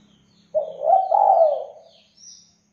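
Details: A spotted dove, used to lure other doves into answering, utters one drawn-out soft coo that rises slightly then fades, with a brief faint note after it and thin distant bird chirps.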